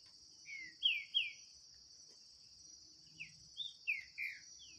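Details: Green-winged saltator (trinca-ferro) in a 2023 singing contest against a wild bird loose in the scrub: short downslurred whistled phrases in two bursts, about two notes then four, over a constant high insect drone.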